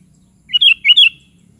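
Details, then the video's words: Sooty-headed bulbul delivering a brief, clear phrase of two paired rolling whistled notes, rising and falling, in an otherwise quiet recording. "SUARA BURUNG KUTILANG"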